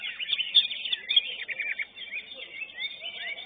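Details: Greater green leafbird singing at a bird-singing contest, a winning entry in its class: dense, continuous high warbling of quick chirps, trills and slurred whistles with hardly any pause.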